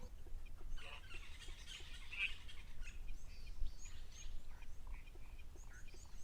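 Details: At an African waterhole on 14 June 2024, with zebras and warthogs arriving, a red-necked or Natal spurfowl makes harsh, grating cackling calls, joined by higher chirps of red-billed buffalo weavers over a steady low rumble.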